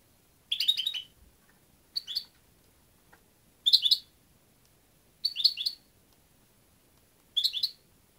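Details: Five bright, tinkling European goldfinch phrases, each a fast run of three to five liquid chirps, spaced by pauses of about a second, over a faint background hiss.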